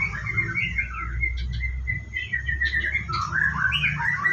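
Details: Morning routine of a White-rumped shama about to bathe at a bird farm: continuous warbled whistling with quick varied phrases and a few sharp high notes, against low background hum.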